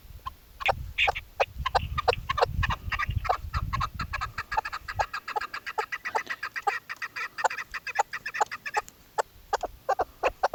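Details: Female chukar partridge used as a hunting caller during hunting season: quieter, uneven chuk notes in loose series, with low rumbling noise in the first half and a faint high steady hiss.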